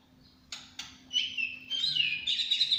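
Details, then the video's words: White-rumped shama, champion bird in 'tembakan cililin' style: two sharp ticks, then high, thin, sliding whistled notes that climb and flutter toward the end. "Burung muray batu juara"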